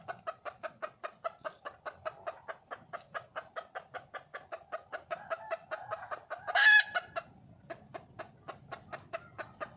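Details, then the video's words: A wild red junglefowl hen calling for a male repeats short nasal clucks at a brisk, regular pace for several seconds, then lets out one loud harsh squawk, after which only faint rustling remains. "le bruit d'une poule sauvage,เสียงไก่ป่าร้องหาถู่หาตัวผู้,ສຽງໄກ່ປ່າຮ້ອງຫາຄູ່ຮັກ, poj qaib qus see"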